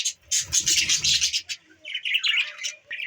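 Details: December 14, 2023 recording of pet budgies: a long run of harsh, grating chatter, then a string of lighter squeaky chirps rising and falling in quick succession.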